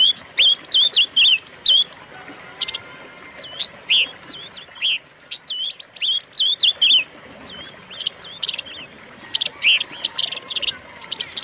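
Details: Silver-eared mesia singing, a recording meant to lure and train cage birds. Quick bursts of bright, twisting whistled notes alternate with sharp chips in irregular phrases, pausing briefly midway before resuming with more chips and wavering whistles.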